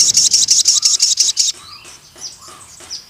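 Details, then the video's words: Crimson sunbird in vigorous song: a rapid, very high, sharp trill of about ten evenly spaced notes, then fainter high chips with low whistled notes underneath. "BURUNG SOGON MANAPUN CEPAT GACOR DAN NEMBAK PANJANG"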